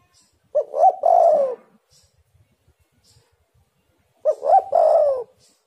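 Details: Spotted dove or derkuku lure call to get doves calling: two phrases nearly four seconds apart, each two brief rising notes then a prolonged descending coo, otherwise quiet.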